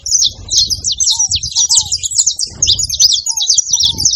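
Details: High, rapid chirping chatter from saffron finches at a feeding spot, with a soft, low, down-slurred note repeated about every half second in the background.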